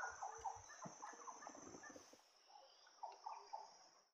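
Shining flycatcher giving short, harsh, rasping notes in uneven bursts, with a steady high insect-like whine running underneath throughout.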